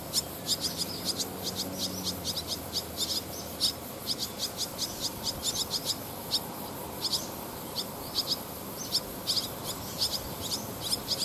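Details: Barn swallows, a family with newly fledged young practising flight, gathered on power lines along rice-paddy paths in Japan, 18 August 2020; rapid run of sharp high chirps from several birds, near-continuous, faint low hum beneath.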